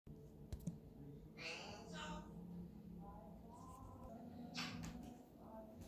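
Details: Pet African grey parrot chattering indoors in speech-like phrases with shifting pitch and short bursts, over a few clicks and a low hum; its owner says it talks more when left alone.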